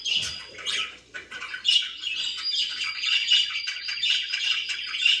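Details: Caged pet budgerigars chirp and warble indoors, a thin sustained whistle threading through buzzy twitters, with a soft thump at the start.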